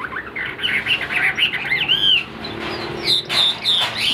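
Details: Caged Chinese hwamei for sale, its voice called very good, keeping its tail fanned even when not singing. Rapid tumbling series of clear whistled slurs and short chirps, then sharper high notes near the end, over faint background hum.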